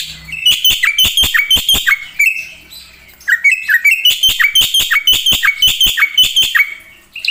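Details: Black-winged myna in full song: bursts of bright, downslurred whistled chips with sharp clicks, a brief pause, then another lively run of the same notes.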